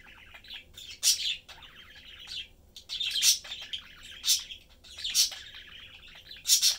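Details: Domestic budgie family, blue male parent, yellow female and their young, chatting and having fun; rolling gurgled warbles with bright sharp chirps roughly every second, low steady room hum beneath.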